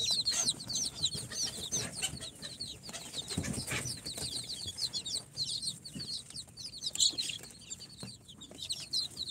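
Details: Incubator-hatched chicks on day four, a mix of Sultan, Golden Sebright, Cochin and booted chickens, in a dense chorus of shrill, quickly repeated down-slurred peeps, many voices at once, with soft scuffling sounds.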